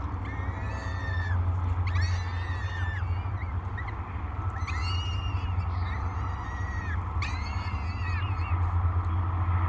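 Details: Peregrine falcon chicks, three hungry young at a morning feeding at Great Spirit Bluff on 24 May 2022, give long grating wail bouts of several seconds separated by short gaps, over heavy low-frequency hum.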